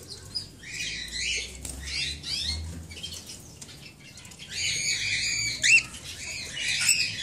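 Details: Young cockatiels in a breeding facility making fainter harsh, scratchy chatter in patchy bursts separated by brief pauses, with one brighter squeak, over a low background hum.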